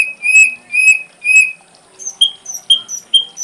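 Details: Ashy drongo song used to tutor songbirds: three drawn-out mid-pitched whistles, then a run of short, sharp high whistles spaced about half a second apart.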